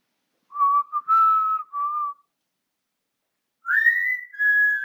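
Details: A pet African grey parrot, encouraged by its owner to sing, whistles clear, pure notes: a steady mid-pitched three-part phrase, a pause, then a whistle sliding upward and holding.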